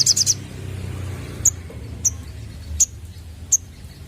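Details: Sunbird lure call aimed at young birds: a quick triple of piercing high chips, followed by single sharp chips roughly every second over faint low background noise.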